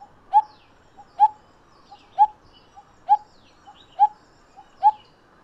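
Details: Hollow, knocking 'tuk' calls of a coppersmith barbet pair, evenly spaced a little under a second apart, each note sharp and low, with fainter higher chirps from other birds behind.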